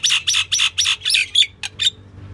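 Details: Calling female common myna, also known as the Indian myna, giving a quick series of rasping, broad, scratchy notes, about four per second, that shorten and grow sparser toward the end before fading to quiet.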